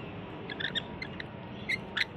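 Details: Wild rainbow lorikeets visiting a balcony in Australia, calling out for food: a few short, harsh, screechy notes in quick pairs, then two sharper shrieks near the end, over a steady low background hum.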